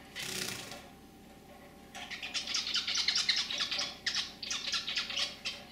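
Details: Pet zebra finch pair kept indoors, the male singing a throaty song and the white female chirping, heard as a noisy burst, a pause, then a fast, dense run of buzzy, scratchy notes over a low hum.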